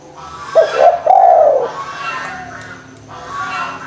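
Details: Spotted dove cooing as a lure to prompt lazy doves to call: one hoarse, slurred coo phrase with a short note then a longer falling one, over a steady low hum.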